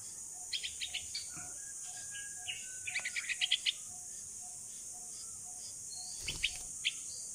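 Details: Rescued baby bulbul (pulangga), 16 days old, practising flight in the open and calling for its mother: a long run of rapid, high, sharp chirps, dense at first, then scattered single notes, over a faint steady hum.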